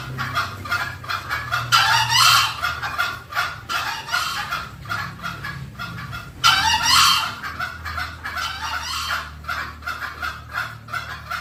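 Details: Green junglefowl lure sound meant to attract wild birds. Regular pulsed clucks run throughout, with two strong, harsh crowing-like bursts standing out, one early and one about five seconds later.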